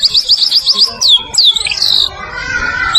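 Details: Murai batu (white-rumped shama), Medan type, as a training master song: a quick string of high chirps followed by swooping, sliding whistles, then fading.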